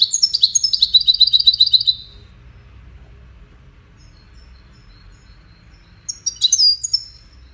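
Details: European goldfinch, one of five wild birds competing for best song, opens with a fast, dense twittering trill for two seconds, falls silent, then adds a shorter burst of sharp chirps.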